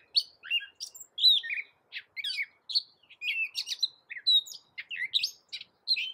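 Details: A six-second stretch of Gray Catbird song: a steady, restless medley of chirps, downslurred whistles, buzzy notes and sharp clicks, each phrase different from the last. The bird is a loud, small songbird endemic to America and a cat mimic.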